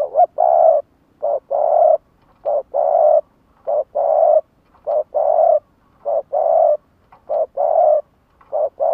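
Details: Spotted dove, a kept lure bird cooing to call in wild doves: low, soft hollow coos in steady groups of short and long notes, repeating throughout with quiet gaps between and no other sounds.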